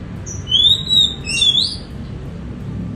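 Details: Caged Oriental magpie-robin kept in Semarang, Indonesia, starting to sing in the morning around its bath after a long quiet spell: bright, high whistled phrases sliding up and down, with a few loud swooping notes over faint room noise.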